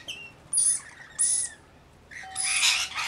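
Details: Rainbow lorikeet flock of about 40 with a baby among them: three harsh, buzzy screeches, the last long and dense, with a faint steady low tone underneath.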